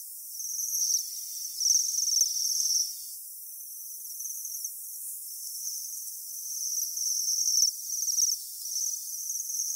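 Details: Several wintering Japanese waxwings at Saiko, Saitama, Japan, give very high, thin, trilled calls in overlapping bursts of a second or two, nearly continuous as the birds call together.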